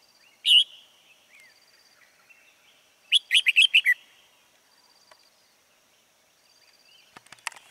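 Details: Red-whiskered bulbul kept as a trapping lure, recorded in late afternoon on 16 March 2020: one sharp whistled chirp, then a fast burst of about five bright, ringing notes, with faint scattered chirps and clicks afterward.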